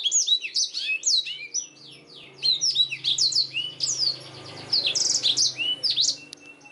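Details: Black-throated canary song recorded as a master for canaries: clusters of quick downslurred whistles separated by short dips, a faint low hum in the background, the phrases quickening toward the end.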